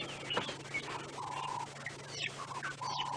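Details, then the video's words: Turtle dove calling from the top of a dead tree at dawn (5:30 AM, 2 October 2016) on a safari drive at Djuma Game Reserve; low, level, drawn-out coos with its throat distending, other birds waking and chirping, steady low hum. "Oh, we've actually got a turtle dove up here behind us calling away."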